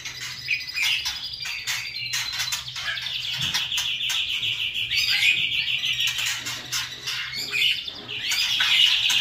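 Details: A continuous high, rattling kretekan trill from a white-rumped shama in trotol style, fast notes repeated without break for several seconds, with a few sharp clicks mixed in.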